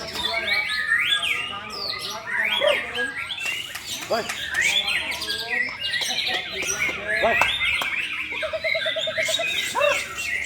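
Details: Competing white-rumped shamas in a singing duel pour out fast varied whistles, trills and slurred notes, one bird answering another, a short low repeated trill near the end and men's voices murmuring nearby.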